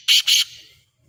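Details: Black francolin giving two loud, harsh, buzzy notes in quick succession, each rasping and grating, trailing off into quiet.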